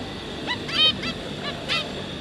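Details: Zebra finch parents with three juvenile offspring, 5 August 2022: loud, close, nasal 'meep'-like honks with rich harmonics, roughly four or five calls in two seconds, some overlapping.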